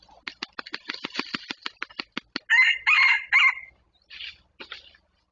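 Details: Wild red junglefowl approaching a decoy: a run of quick sharp clucks about six per second, then a short hoarse broken crow, followed by a few softer scratchy notes.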